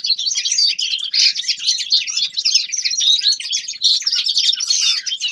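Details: A young male linnet's winter song, lively chattering twitters and short rattles poured out continuously at high pitch.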